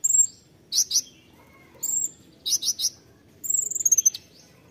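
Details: Konin singing tembakan phrases: pairs of loud sharp chirps alternating with thin whistled notes, closing on a rapid high trill that falls slightly.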